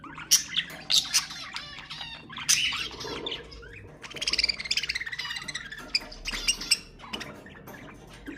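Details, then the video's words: Pet budgerigars singing, meant to encourage other budgies to sing: scratchy warbled chatter with high squeaks, and a rapid pulsed trill midway, broken by short sharp chirps. "تحفيز طيور البادجي أقوى صوت بادجي تسمعه"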